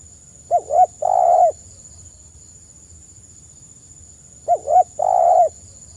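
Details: Spotted dove singing the 'kuk 1' style, used as a lure: two phrases about four seconds apart, each two quick upswept notes followed by one long, rough, level coo; steady high whine in the background.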